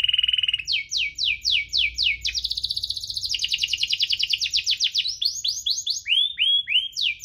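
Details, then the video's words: Canary singing in the lively 'cuit-cuit ngerol' style, played to coax canaries that are slow to sing. A steady whistle is followed by fast repeated downward sweeps, a buzzy trill, then rising slurred notes, all high and bright. "Kenari Gacor cuit-cuit ngerol, pancingan untuk burung kenari malas bunyi"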